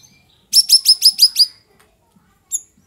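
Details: Straw-headed bulbul afternoon song: a fast, rolling run of six loud, bright, bubbling whistled notes lasting about a second, followed by one lone higher note after a short pause.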